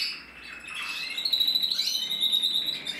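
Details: Male red mosaic agate canary from a breeder, recorded 1 November 2024: a continuous high warbling song of trills and rapid chirps, quieter at first, then a steady pulsing run of notes and a sustained whistled line near the end.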